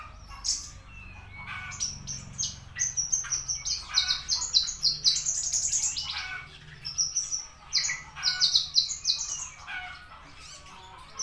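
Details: Javan bushlark in full song: a long, varied run of high, clipped chirps, slurred whistles and quick trilled bursts in irregular phrases with brief gaps, over faint low background noise.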